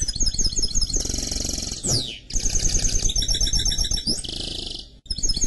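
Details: Mule from a canary crossed with a goldfinch singing long high buzzy trills broken by a fast downward slide, then more rolling trills, with low background noise.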